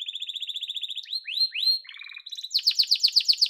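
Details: Yellow domestic canary singing a fast repeated chip series, then rising whistled sweeps, a brief lower rattle and a loud, rapid high trill to finish.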